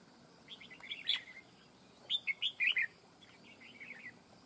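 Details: Red-whiskered bulbul singing in a fight trap for catching wild birds, noted as a fierce, long-bodied singer: a brisk run of four loud bubbling whistled notes, with softer warbles before and after.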